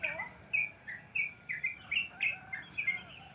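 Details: Cool village morning at the edge of rice fields: wild birds give sharp, high chirps, some short and flat, others dipping then rising, spaced about every third of a second against faint steady hiss.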